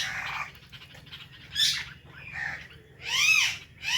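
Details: Indian ringneck parrots, including a blue bird, giving natural chirping calls: scattered scratchy chatter, then loud arched screeches rising and falling, with a low background hum.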